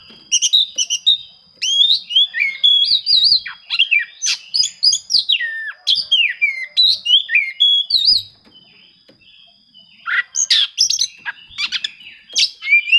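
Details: Oriental magpie-robin searching for rivals, a song used to provoke hard-to-sing birds: long energetic stream of varied whistles, trills and clicks, a pause near eight seconds, then harsher chattering notes resume.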